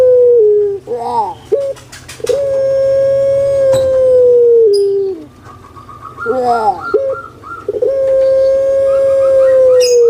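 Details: Captive puter pelung dove from Java, Indonesia, giving drawn-out booming coos that hold a steady tone for two to three seconds and then drop slightly, separated by brief warbling notes, with thin chirping of other birds in the background.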